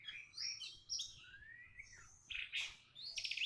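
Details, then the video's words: Orange-headed thrush singing in reply to a lure. Quick whistled notes lead into a long descending slur, then rapid chattering, high warbled phrases that grow denser toward the end. "BURUNG ANIS MERAH MALAS BUNYI COBA PANCING DENGAN INI GAK NUNGGU LAMA LANGSUNG RESPON"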